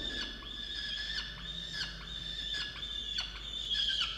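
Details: Peregrine falcon calling inside a water-tower nest box at Orange, Australia, 8 November 2022, angry at its mate for not bringing food; a steady, harsh whine with clear harmonics, broken by brief sharp accents.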